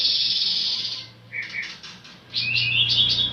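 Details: Pancawarna bird song made of a strident buzzy trill, then a pair of short chirps, then rapid high twittering notes that end the phrase.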